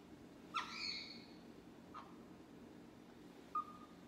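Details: A pet talking caique, asked about tea in a cup which it calls "coffee", gives a loud, rich, harmonic squawk with a falling tail, then a brief clipped note and a short, thin whistled note.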